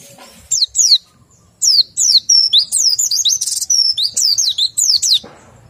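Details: White-eye said to be low in breeding condition, singing a run of high, clear whistled notes, each sliding sharply downward, delivered in quick bursts with brief pauses and a buzzy note midway.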